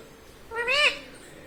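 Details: Single rising-then-falling, whiny drawn note from a pet talking Indian ringneck parakeet, lasting under half a second, in a quiet indoor setting.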